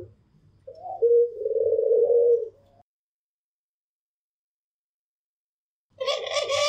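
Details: One drawn-out rolling coo from a white pelung or local Barbary dove, then silence, ending with a harsh, broad, buzzy burst of sound.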